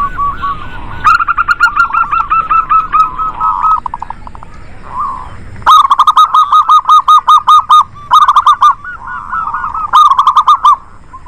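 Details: Local zebra doves in a lively chorus meant to stimulate reluctant doves into singing: bursts of rapidly repeated, resonant cooing notes, several rattling runs separated by short pauses, with overlapping callers.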